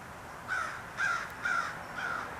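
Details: On 7 December 2020, a crow calls loudly, giving four harsh caws about half a second apart over quiet hiss, as a young calico cat turns and looks around.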